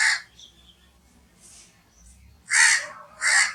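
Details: Loud, raspy crow caws: one at the start, then a pause with faint distant calls, followed by two strong harsh caws close together near the end.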